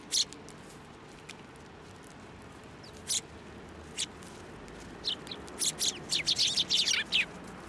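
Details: Sparrows flying onto a hand to be fed at a Tenmangu shrine in Japan, 16 December 2023; scattered sharp, high descending chirps, then a fast burst of overlapping twittering near the end over steady background hiss.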